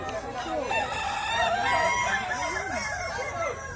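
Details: Kukuak Balenggek roosters at a crowing contest in West Sumatra, several long wavering crows overlapping one another, with rising and falling drawn-out notes and a noisy crowd behind.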